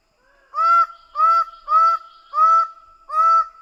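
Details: Greater bird-of-paradise repeating a loud, nasal, rich honk five times at roughly two-thirds-second intervals over a faint continuous whistled tone.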